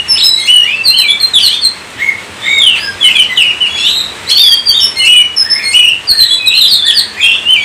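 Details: Oriental magpie-robin delivering lively song, short clear whistles and chirps rising and dropping in pitch, grouped into quick bursts separated by brief pauses.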